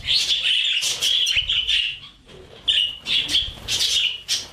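A budgerigar chirps and warbles in quick, scratchy bursts, high and bright, with brief pauses between phrases.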